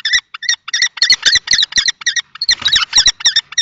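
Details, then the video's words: Common kestrel fight between two males at a nest box, Théding, France, 20 March 2024. Irregular, shrill squealing calls come fast and overlapping, mixed with scuffling thumps as the birds grapple. "Bagarre entre 2 mâles"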